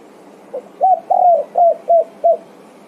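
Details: A spotted dove (tekukur) answers its companions with a phrase of six mellow coos, the third drawn out and falling, the final ones short and regular; quiet surroundings.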